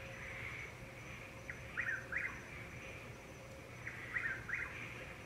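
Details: In Florida in late April or early May, in darkness before dawn or in the evening, a Chuck-will's-widow repeats its rhythmic, whistled chuck-will's-widow phrase to attract a mate over a steady chorus of tree frogs.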